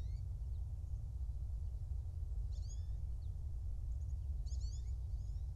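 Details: Bald eagle at its nest in Louisiana's Kisatchie National Forest, captured by a nest cam on 2 January 2024 around 09:14. Short sharp high-pitched chittering notes come in a few separate bursts over a steady low rumbling background.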